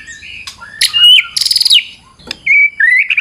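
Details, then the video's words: Lure song of a fighter White-rumped shama, full of variation: a soft whistle, harsh buzzy bursts and a ringing trill, then pure rising whistled phrases. "Super figther Murai Batu Full Vareasi"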